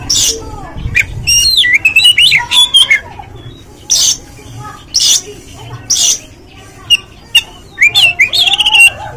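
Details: Oriental magpie-robin song used as a lure to rouse a bird to sing and spread its tail: bright, varied whistled phrases with sweeping slurs and sharp chips, separated by short pauses.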